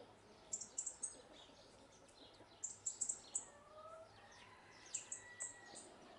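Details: House sparrows eating seeds on the ground in Ibiza in 2020 give short, bright chirps in quick bursts of three or four, about two seconds apart, over a soft background hum.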